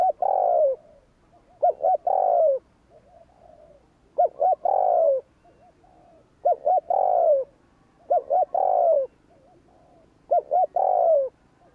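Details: Spotted dove giving the provoking 'gù kích' coo meant to stir wild doves: two short hooting notes then a long, falling, slightly buzzy coo, repeated about five times with short pauses; quiet background.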